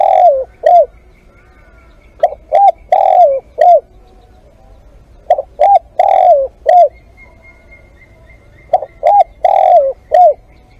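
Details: Spotted dove at a live decoy session giving four strong coo phrases over eleven seconds, each of quick clipped notes, a drawn-out falling coo and a short final note, with faint steady hiss between.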